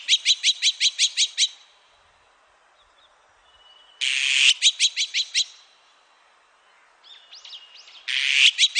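Azure-winged magpie giving three bursts of rapid, harsh, rasping notes, about seven per burst, every four seconds, with a few faint high whistles between.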